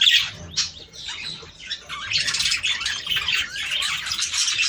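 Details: Budgerigars chirping together to encourage breeding; sharp opening squeaks, then a softer spell before dense, buzzy twittering and warbled trills build and carry on steadily.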